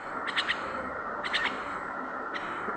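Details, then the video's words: A talking common myna being taught words such as "baba" and "Allah" gives two short bursts of harsh, chattering syllables about a second apart, then a brief third note, over a steady background hiss. "শালিক পাখি কথা বলে"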